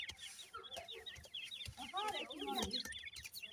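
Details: Grey partridge chicks of the new season, with their parents: a dense chorus of short, high descending peeps, overlapping and repeated rapidly, with a few lower chirps in the middle and soft thumps.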